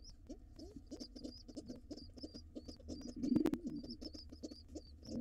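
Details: Wild rock pigeon family in a nest box, white father and gray mother with young nestlings. Thin high squeaky peeps repeat steadily over low pulsing murmurs, and a brief louder coo swells near the end.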